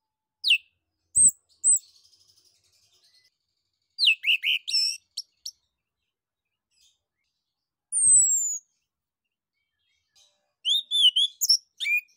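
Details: Orange-headed thrush (anis kembang) singing ngeplong, used as a prompt for other birds to sing. Scattered sharp notes and short whistles, then a dense varied phrase, a long descending whistle, and a final burst of quick whistled notes.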